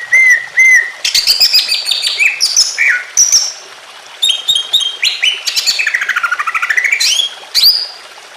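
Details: Greater green leafbird singing emotionally, used to prompt other leafbirds to sing: loud, varied song of paired whistles, sharp upslurred notes, a fast trill and a long sweeping rising whistle.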